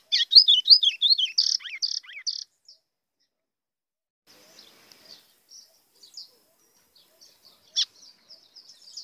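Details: White-throated seedeater singing a blue grosbeak-style song meant to provoke other birds: a dense burst of quick, sweeping chirps and buzzy notes for about two and a half seconds, then soft scattered twitters and one sharp note near the end.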